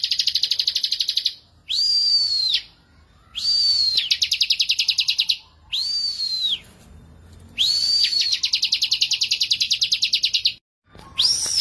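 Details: Bar-winged prinia singing in full voice: long bursts of rapid, evenly repeated sharp high chirps alternate with short arched whistled notes that rise and fall, with brief pauses between phrases and a quiet background.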